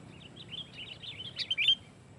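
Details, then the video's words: Sooty-headed bulbul in loud, packed song aimed at rival bulbuls; a brief run of soft wavering chirps climbing to a few sharp, louder notes at the close. "SUARA BURUNG KUTILANG GACOR SUARA RAPATBIKIN KUTILANG LAIN IKUT GACOR"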